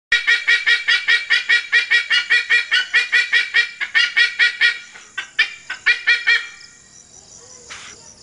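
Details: Philippine sea eagle crying: a loud series of harsh, nasal, rapidly repeated yelping notes, more than two per second, that keep a steady pace, then loosen and fade away over the last seconds.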